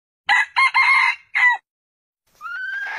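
A red junglefowl rooster gives a loud, hoarse, broken crow in four quick bursts, then a second crow begins with a rising, drawn-out note.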